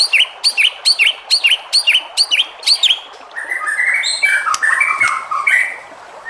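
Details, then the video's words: White-rumped shama song intended to provoke rival shamas to sing: nine sharp, evenly spaced chipping notes, then a rich warbled phrase of mixed whistles. "MURAI BATU JENIS APAPUN PASTI NYAUT EMOSI DAN GAK BISU LAGI DENGAN SUARA MURAI BATU INI"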